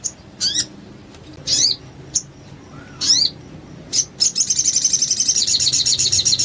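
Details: Lively mountain tailorbird (sogon) used as a training recording: sharp, high, separate calls at uneven gaps, then a fast, sustained, very high chirping trill.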